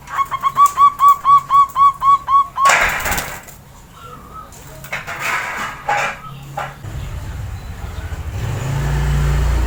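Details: Local Javanese zebra dove, sunned in morning sunlight after bathing; a rapid run of about eleven short, rounded, mellow coos repeated evenly, then fades into scuffling and a rising engine-like rumble.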